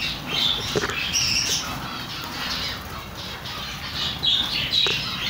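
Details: Chicks peeping irregularly, with sharp, high, short notes and occasional downward-sliding squeaks over hiss and faint low rumble.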